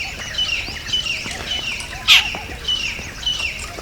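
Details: Jungle babbler calling: a string of harsh, mid-high notes repeated roughly twice a second, with one sharp loud click about halfway through.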